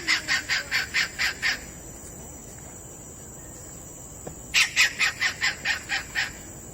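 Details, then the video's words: Kingfisher calling in two bursts of about eight harsh, evenly spaced notes each. The notes are rapid and rattling, and a short quiet gap separates the bursts. "Listen To The Enchanting Call Of The Kingfisher Bird!"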